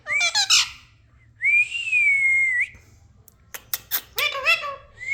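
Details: Parrot with a brief harsh squawk, then a long, steady whistled note lasting over a second, followed by clicks and wavering nasal calls.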